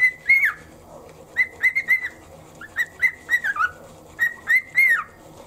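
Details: Morning whistling from a pet cockatiel that enjoys the shoulder vibration during toothbrushing: bright level whistles in groups of two to four, some ending in a drooping slide, with brief silences between.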